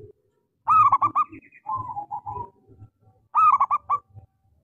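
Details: Lure song from a small-voiced local zebra dove, meant to set quiet doves singing: two loud rolling, stuttered coo bursts framing a softer wavering coo series, over a low murmuring background.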